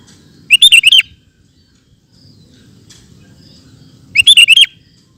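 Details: Sooty-headed bulbul (kutilang) sings ropel-style song: two loud bursts of rapid, bubbly, slurred notes about three and a half seconds apart, with quiet low hum between them.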